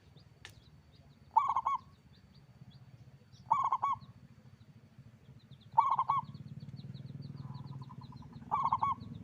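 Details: Local zebra dove with a strong voice repeating its bubbling coo phrase four times at steady intervals of about two seconds, set against a low mechanical rumble and a brief click.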